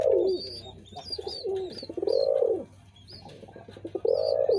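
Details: Loud, drawn-out pigeon coos, each a rounded low swelling note about half a second long, arriving roughly every second or two, with sharp high chirping from small birds overhead.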